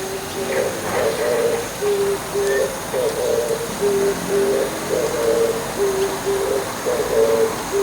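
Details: Morning calls of an Oriental turtle dove perched on an antenna, a deep rhythmic coo sequence of short doubled notes and longer hoarse phrases cycling evenly through the recording, with light distant clicks behind.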